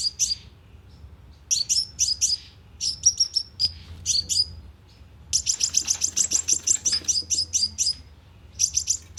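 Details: Sunbird calling played as a lure with a loudspeaker trap: scattered short groups of sharp high chips, then a long, dense, rapid chattering run near the end.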